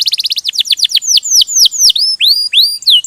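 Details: Canary song with quick repeated downward-sweeping chirps that slow into longer whistled sweeps, some rising, all high and clear.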